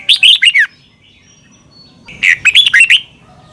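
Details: Red-whiskered bulbul from Thailand singing a recording meant to teach caged birds: two brisk phrases of four or five warbled, downward-sweeping whistles, parted by a silent gap of about a second and a half.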